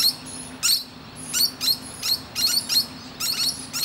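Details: Musk lorikeet perched resting on a tree branch, chatting to other birds: shrill, rasping high screeches in short bursts, a couple each second, over a steady low hum and a faint thin whine.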